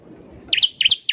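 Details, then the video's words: Bar-winged prinia in vigorous song for luring caged birds: three bright, high chirps in quick succession, each a short dipping sweep. "PANCINGAN CIBLEK GACOR || CIBLEK BAHAN PASTI CEPAT BUNYI"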